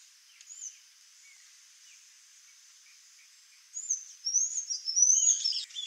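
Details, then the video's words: Sayaca tanager, with a few faint high notes early on, then a rush of thin, squeaky, rising twitters high in pitch that tumble together and grow louder toward the end. "SANHAÇO-CINZENTO (THRAUPIS SAYACA), SAYACA TANAGER, PIPIRA-AZUL, SANHAÇO-DO-MAMOEIRO."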